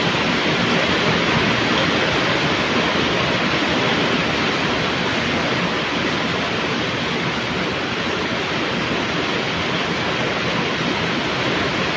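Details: Steady, dense rushing noise like heavy rain or a waterfall fills the whole recording, with no animal voices standing out.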